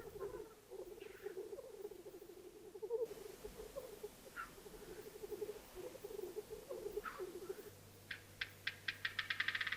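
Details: Black grouse male lekking in spring in open areas of the Baikal region, Russia, where rivals fight over territory: rolling, dove-like bubbling runs on without pause, with a few brief hissing notes, closed by a quick series of sharp clicks.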